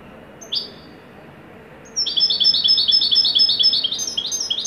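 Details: Moroccan wydani-style European goldfinch singing in a joyful top performance. A single high note is followed by a pause, then a fast run of bright, high, twittering chirps repeating about twice a second over a steady background hiss.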